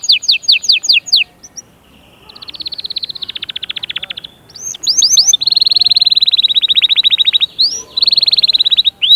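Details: Singing canary, song meant to push young birds to sing and ready females: quick downslurred notes, a buzzy rolling trill, then long rapid rattling trills broken by short sharp upward whistles.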